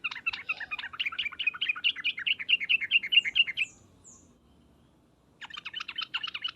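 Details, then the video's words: Sooty-headed bulbul 'ngriwek uplik uplik' call used to make other bulbuls reply: a long, even series of rapid bubbling notes, a silent gap with faint high whistles, then the chatter starts again. "suara panggilan trucukan dan ngriwek uplik uplik ini menjadikan burung trucuk gacor nyaut seketika"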